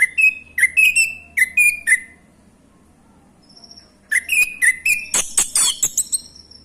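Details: Used as a lure to make other thrushes sing, a male orange-headed thrush gives repeated rich whistled phrases with upward slurs, pauses, then returns with a denser burst of sharp notes and a high steady tone behind.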